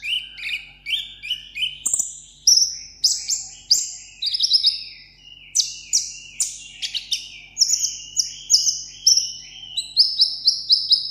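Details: Pet sunbird singing a solo contest song in Vietnam: a long series of sharp, descending whistled slurs, each about half a second, shifting between lower and higher pitch levels.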